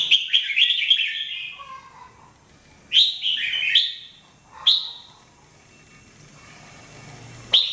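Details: Jambul, a red-whiskered bulbul singing for training, producing cheerful warbled phrases of rolling notes, a soft lower trill, then more bright phrases and single sharp upslurred notes spaced a couple of seconds apart in a quiet setting.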